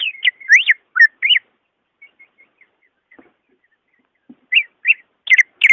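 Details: Greater green leafbird song meant to prompt a lazy caged bird to sing: loud swooping whistles, a pause with soft chips, then further sharp, ringing whistled notes.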